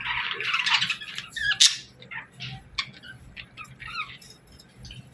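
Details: Parakeets chirping in the morning indoors: scattered short chirps and warbles between 1 and 5k, busiest in the first two seconds, then sparse separate notes fading out, with light background rustle.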